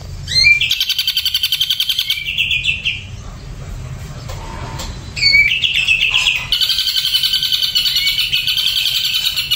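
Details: Ashy drongo on a doping supplement, delivering long rapid pulsed trills that open with a rising whistle and repeat quickly in a dense run, with a brief quieter gap midway.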